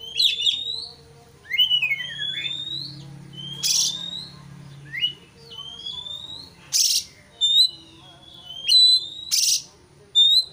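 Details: White-rumped shama singing to provoke a rival bird. Long upslurred whistles and sweeping glides are broken by sharp harsh bursts. Phrases come roughly every second, over a faint low hum.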